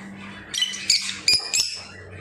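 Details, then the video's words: Household lovebirds, apparently in Bangladesh, calling in shrill, high-pitched chirps and squeaky twitters in three or four quick bursts with short gaps, over a steady low electrical hum in the room. "crazy love birds"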